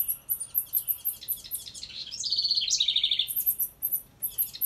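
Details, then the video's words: Near a birdhouse a female wren pours out a hurried, tumbling song ending in two fast, dry trills. Before and after, thin, very high chirps repeat in a quick, uneven rhythm. "Listen close & you can hear the wren say she likes this house"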